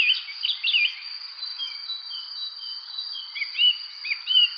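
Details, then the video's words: Birds chirping on a spring evening: scattered short bright chirps and rising-falling whistled notes, several overlapping, over a steady high insect drone. "evening spring birds chirping"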